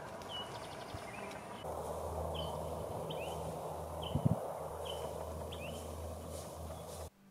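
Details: A Pine Flycatcher in the conifer forest on Mount Lemmon, Arizona, gives short, sharp, high call notes about every second, identified by matching recordings, with a steady low rumble of wind and a single thump.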